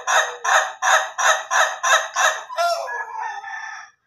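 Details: Ayam Ketawa chicken crowing: seven loud, evenly spaced hoarse laughing bursts about every half second, then a drawn-out, wavering, softer tail fading over the last second and a half.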